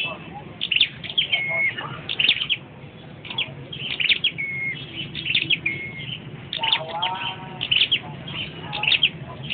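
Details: Singing flowerpecker on a perch: rapid high ticks mixed with short level whistles, steady through the phrase, with a lower warbling sound near the end and soft background hum.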